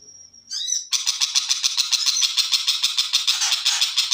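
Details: Long-tailed shrike, called cendet macan, opening with a thin steady whistle and a quick twittering phrase, then launching into a loud, harsh, rhythmic chatter of rasping notes at roughly three per second.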